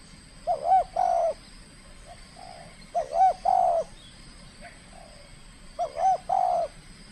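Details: Trained spotted dove, Riau Islands, Indonesia, in a first contest bout: three phrases about two and a half seconds apart, each two short warbled coos leading into a longer mellow hoot, with faint softer coos between.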